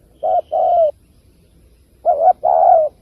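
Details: Spotted dove calling, a recording meant for luring wild doves to loudspeaker traps: two low hooting phrases, each a short double coo followed by a longer, slightly falling coo, separated by a pause of about one second.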